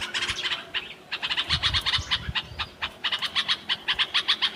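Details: Bulbul in natural surroundings giving rapid harsh chirping notes, repeated about three times per second in uneven bursts, with a brief pause near the start and faint low rumbling beneath.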